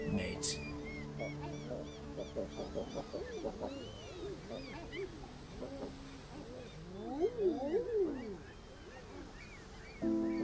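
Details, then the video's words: Common Eider, unpaired males in spring in Northumberland, throwing their heads back during a courtship display to attract a female; many overlapping soft, crooning coos that rise and then fall, over steady sustained musical tones. "it's at this time of year that the males begin their unmistakable courtship calls"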